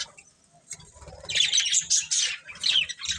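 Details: Pet budgerigars, near silence at first, then chirping builds into quick bright twittering bursts with scratchy squawks and light rustling underneath.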